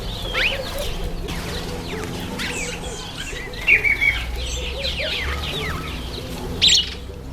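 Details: Masked weavers calling in breeding season, September to October: an overlapping stream of buzzy swizzles, twangs and sliding squeaks, with two louder harsh bursts and a low hum underneath.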